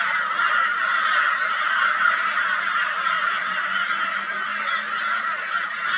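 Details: Crows in Brisbane, Australia, 22 February 2022, mobbing a barn owl; a steady dense wall of overlapping harsh calls from many birds, with no clear gaps.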